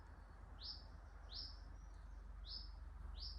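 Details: Common chiffchaff calling in sycamore-dominated secondary woodland at Palham Woods, Isle of Wight Undercliff, 16 April 2024: four short, upslurred 'hweet' notes, about one per second, over a steady low rumble; the same bird varies its call.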